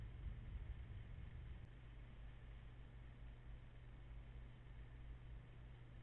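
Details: Steady low engine rumble with a constant hum, heavier and rougher in the first second and a half, and no animal voice heard.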